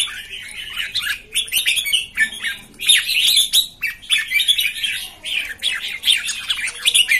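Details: Jambul, or red-whiskered bulbul, newly arrived birds recorded 13 June 2019: short warbled phrases and sharp chirps come in pulses about every half second, several voices overlapping.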